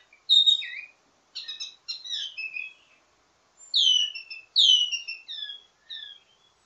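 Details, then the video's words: Ledekan song of a wambi mini used for tutoring birds of its kind: a loud falling note, buzzy chattered phrases, then strong descending whistles repeated about every half second. "Ledekan Wambi mini Full Gacor Banyak Vareasi"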